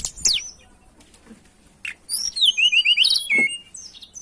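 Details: Mountain tailorbird song used as a lure to attract birds: sharp, high chirps, then a rapid run of bright, rising whistled notes repeated several times in quick succession, with scattered faint clicks and brief gaps between phrases.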